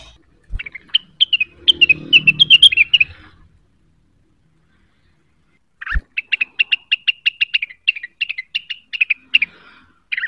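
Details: Cucak wilis, stirred by a lure call and looking for a rival, pours out quick chattering twitters, then a long series of sharp, rapidly repeated chips. A faint low rumble sits under the first burst.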